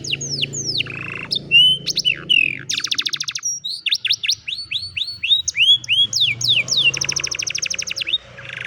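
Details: Old canary singing in the afternoon: rapid varied phrases of high whistled downward sweeps, fast buzzy trills and rattling bursts, each tour changing every second or so, with a faint low hum beneath.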